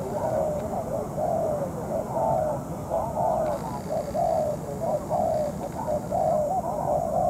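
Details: Spotted dove kept as a decoy for trapping, calling at night while molting against a wild dove; steady series of husky coos about once a second over constant low background rumble.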